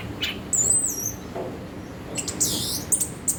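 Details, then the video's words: Orange-headed thrush (anis kembang) giving scattered high thin whistles and sharp bright notes separated by short pauses, over a low steady background hum. "Burung Anis kembang"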